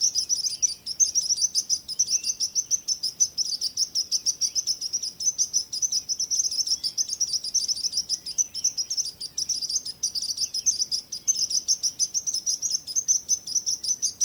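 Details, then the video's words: Birds singing in a steady, dense chorus of high, thin chirps, about three to four sharp notes each second, with a few fainter squeaks above and quiet background hiss. "Relaxing Birds Chirping Sounds | Relax With Singing Birds Sounds"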